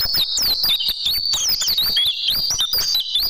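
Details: Oriental white-eye song for tutoring caged birds: a continuous stream of high, sweet warbling notes that slide up and down, packed closely together without pause.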